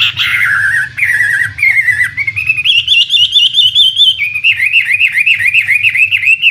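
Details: Chinese hwamei, a premium imported contest bird, sings strong clear whistles stepping upward in pitch, then a rolling, wavering warble repeated in quick loops.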